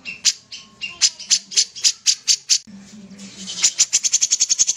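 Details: Sooty-headed bulbul in full, active voice, giving sharp, dry clicking notes in an uneven series that speeds into a fast chattering rattle near the end, with a low steady hum underneath.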